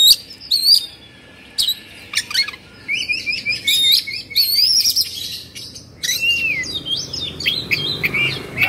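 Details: Oriental magpie-robin in agitated kongslet song, beak open and tail spread: a rapid stream of sharp, high whistles, trills and chattering phrases broken by brief pauses.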